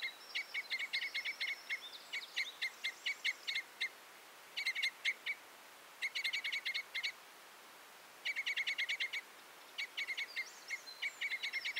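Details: A Red (Common) Crossbill, Loxia curvirostra, sings in bursts of rapid, hard chip notes run into short trills, broken by brief pauses, with a few thin warbled phrases mixed in.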